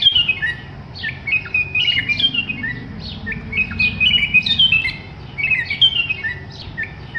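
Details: Bulbul moving about freely; lively bursts of quick squeaky chirps and short slurred whistles repeat several times a second over a constant low hum.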